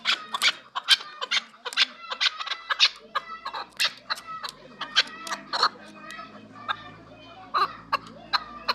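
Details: Chukar partridges offered for sale in Qabodiyon district, Tajikistan, giving a rapid, irregular series of harsh, clucking chuck notes with strong harmonics, several overlapping and no background noise.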